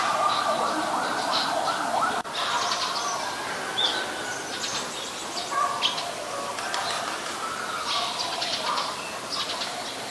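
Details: Eurasian tree sparrow recorded in Ubon Ratchathani, Thailand, on 10 May 2020: bright, clustered chirps and tweets repeat rapidly and irregularly over a dense, steady background chorus of other birds.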